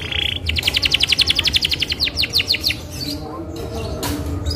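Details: Isabel canary singing as a lure for other canaries: a short flat buzzy note, then a rapid even trill of about eight notes a second for two seconds, fading into background noise.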